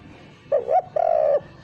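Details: Spotted dove lure coo lacking the 'kuk' ending: a short rising-falling note, then a longer level, slightly pulsing coo.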